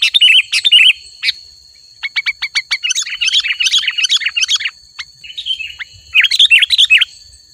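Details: Sooty-headed bulbul in lively song: chattering bursts alternate with a series of short, evenly spaced chips, then a long bubbling run of twittered notes, all over a constant high ringing tone.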